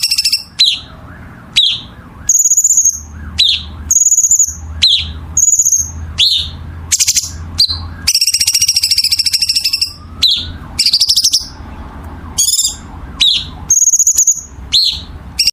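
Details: Long masteran sequence from a songbird: repeated downward-sweeping chips, high level whistles and extended dense buzzy trills in a varied, energetic stream, with a steady low hum in the background.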